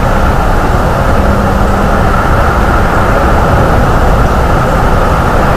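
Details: Loud, constant broadband roar like strong wind or engine noise fills the whole recording, with no animal call.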